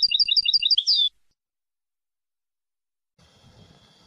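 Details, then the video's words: European goldfinch singing a clean phrase: six evenly spaced, high, paired chirps in quick succession, then a swooping note, followed by silence and faint low background noise. "تغريد حسون في غاية الجمال بدون اخطاء"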